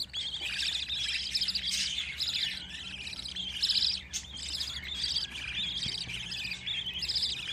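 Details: Budgerigar chicks in a nest box, fed by their mother: continuous high, raspy chirping and twittering from several young at once, steady throughout with a few louder peaks.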